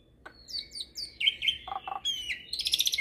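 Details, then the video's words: Hybrid starling singing a full, lively song meant as a tutor recording for magpie-robins and kacer birds: clear whistles, rising slurs and buzzy trills in quick succession, with a steady low hum beneath. "Masteran Jalak Hybrid Gacor Full Isian Untuk Masteran Burung Murai, Kacer"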